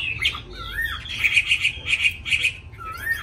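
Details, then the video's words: Newly arrived caged Hwamei with a wild-type voice, said to sing readily once hung out: rich, high slurred whistles, with short trilled notes repeated in quick bursts and swooping phrases at start and end; faint low room hum underneath. "mới về họa mi thuần giọng rừng hay cực mau mỏ hót suốt móc ra là hót"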